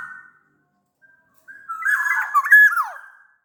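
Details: Sumbawa black-naped oriole, used as a lure to make other orioles sing: a faint whistle, then a rich warbling phrase of liquid fluted notes ending in a steep downward slur.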